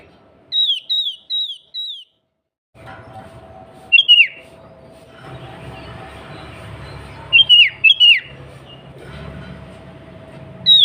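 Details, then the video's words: Female sooty-headed bulbul calling the male, a lure for provoking bulbuls to sing; four evenly spaced descending whistles, a moment of silence, then falling double whistles repeated over a low steady hum. "Suara Burung Kutilang Pancingan Harian Paling Ampuh"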